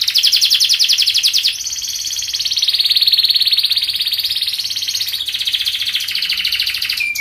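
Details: Unbroken canary song for training juvenile canaries to sing: a long series of rapid trills that shift in pitch and speed, then a short low note at the end.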